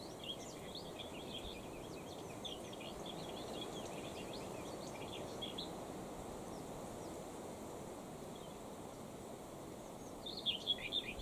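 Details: Common whitethroat (Sylvia communis) recorded on 8 August 2019 in Beryslav district, Kherson region: scratchy, chattering high notes crowd the first three seconds, then a brief louder burst near the end, all over steady broadband background noise.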